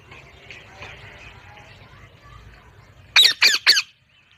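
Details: Low murmuring chatter gives way to three loud, grating parrot squawks delivered in quick, regular succession.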